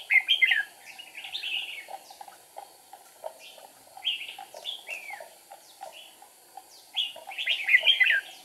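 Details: Decoy red-whiskered bulbul singing during trapping to provoke wild rivals, 8 April 2019: a loud opening warble, a string of lighter down-slurred chirps, then another strong cluster of bright notes near the end.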